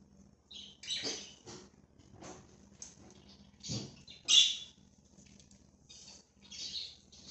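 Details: Free-roaming budgerigars give separate sharp high squawks and chirps with short gaps between them, one louder call near the four-second point, over a quiet background hum.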